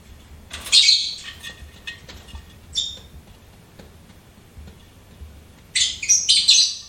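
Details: Lovebird kept as a pet, with one scratchy chirp, a brief squeak, then a quick pair of shrill chattering notes at the close.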